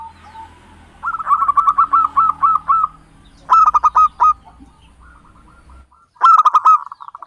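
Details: Local Javanese zebra dove song used as a lure for bird trapping: a fast run of short, mellow cooing notes, about four per second, then a pause and two louder, harsher bursts of clipped coos.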